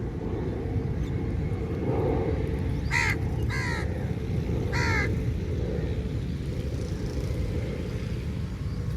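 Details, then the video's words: Angry crow feeding on meat, giving three loud, hoarse caws in quick succession, the first two close together and a third a second later, over steady low-pitched background hum. "Different Kauwa ki Awaz | Angry Crow Bird Sound Effects"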